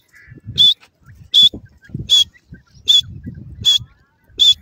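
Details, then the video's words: Grey francolin, known locally as gora teetar, giving short, loud, high-pitched notes repeated about every 0.8 seconds, six in all, over low rustling and handling noise. "The amazing sounds of gora teetar ki awaaz"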